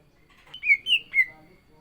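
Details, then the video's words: Three smooth, slurred whistles in quick succession from a caged greater green leafbird (cucak ijo) in full song before a contest. "CUCAK IJO GACOR ISIAN"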